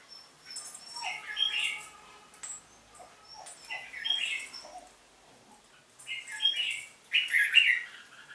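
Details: Red-whiskered bulbul singing competitively, delivering four short warbled phrases roughly every two seconds, with soft chirps and thin whistles between them.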